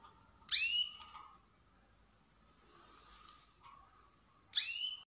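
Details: A pair of dark carrot-coloured canaries: two loud, sharp whistled notes sweeping up high, about four seconds apart, with faint soft twittering between them in an otherwise quiet room.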